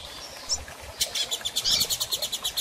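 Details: Female double-collared seedeater calling, used to stimulate a male to sing after moult: a thin high note, then a quick run of about fifteen sharp chips at an even, fast pace.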